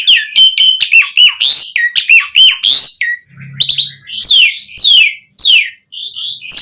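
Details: Asian pied starling (jalak suren) in varied lure song for other starlings, rattling off quick whistled and buzzy notes, a brief low hum in a pause, then sweeping downslurred calls.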